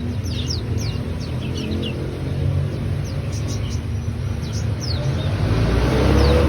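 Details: Ciblek singing vigorously: a rapid series of thin, very high downward-slurred notes, several per second, over a steady low rumble of engine-like background noise.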